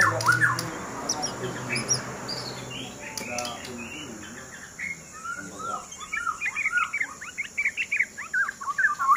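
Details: A white-rumped shama billed as a king fighter. After a stretch of human talk, it bursts into quick, varied chirping phrases and sharp whistled notes that grow louder toward the end.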